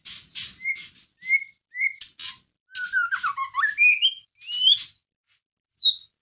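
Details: White-rumped shama in a cage, its song intended to provoke a caged shama into singing, with brief whistles, a descending run of slurred notes, rising whistles and harsh high bursts between short silences.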